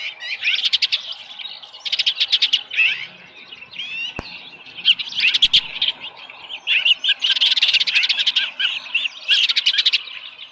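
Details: At a ranch nest on 13 July 2018, around 7:10 AM, an osprey with a small live fish gives repeated bursts of fast, shrill chirping, each lasting about half a second. Sharp clicks or knocks sound between the bursts.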